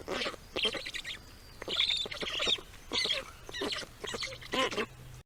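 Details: Baby birds in their nest as parents arrive with food; bursts of raspy, squeaky chirping come in clusters about every half second to one second, with brief quieter gaps and faint high whistled notes.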